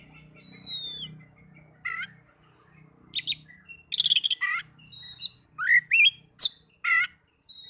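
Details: Oriental magpie-robin song used to lure caged birds into singing: varied whistled phrases and harsh buzzy notes in separate bursts, with a low hum underneath during the first seconds.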